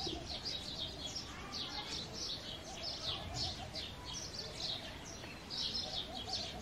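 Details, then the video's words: House sparrows chirping during the breeding season: dense overlapping high chirps repeat without pause, several birds calling at once over a steady background hum with faint voices. "An Undisputed Songbird - The Sparrow Calling"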